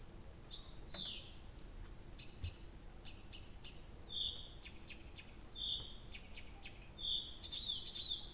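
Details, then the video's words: Early-June nightingale singing through the night at Abramtsevo, from 23:00 on 6 June 2021: a downward whistled sweep, clusters of dry clicks, then a steady series of level, pure whistles repeated about once a second. "Соловей поёт всю ночь"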